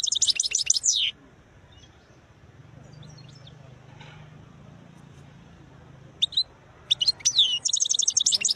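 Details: Khlawi-type European goldfinch with beautiful notes: a second of rapid high twittering, a long quiet gap with faint background hum, then renewed tinkling chirps building into a fast trilled phrase.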